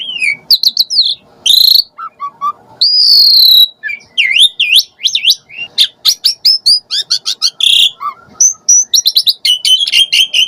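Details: Lure recording of an Asian pied starling, used to stir other starlings into answering; a busy medley of looping whistles, harsh rasps, quick clicking series and bright chirps in rapid succession.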